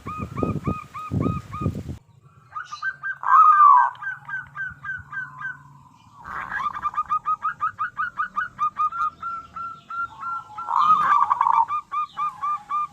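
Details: Local zebra dove song used as a lure for other doves: quick repeated cooing notes, a loud drawn-out arched note, then long steady runs of short coos, several birds overlapping.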